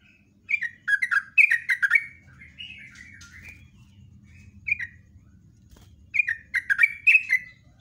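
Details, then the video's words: Yellow-vented bulbul giving its long rapid lure song in the morning: chattering bursts of liquid, slurred whistles, a quieter warbled passage, then another energetic burst. Low mechanical rumble in the background. "LIVE PAGI JOGJOG TRUCUK NGEROPEL NEMBAK NGALAS"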